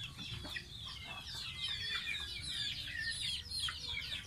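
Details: Baby pet domestic goose taking a bath, giving a rapid stream of high, thin, downslurred peeps that overlap continuously, with faint splashing beneath.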